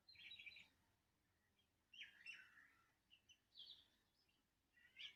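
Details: Birds singing in Andhra Pradesh, India: short bright chirpy bursts of high twittering notes, with pauses of about a second between bursts and a quiet background.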